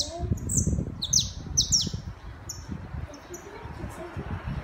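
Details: Saffron finch song in a city setting: a quick run of sharp, high chirps, several falling in pitch, clustered early then sparser, with low background rumble beneath.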